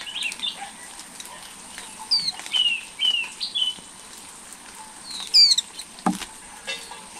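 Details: Nestling flowerpeckers, recorded by a camera left at the nest for eleven days while growing: a run of short, high, falling squeaks, four close together then a louder pair later, with faint clicks and one dull thump.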